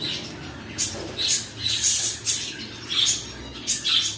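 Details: Pet cockatiels giving short, shrill squawks about every half second, each a quick high burst with a whistled edge.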